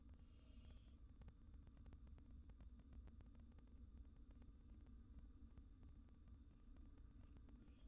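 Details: Steady low hum and electrical static with brief faint hissy bursts; no clear animal voice.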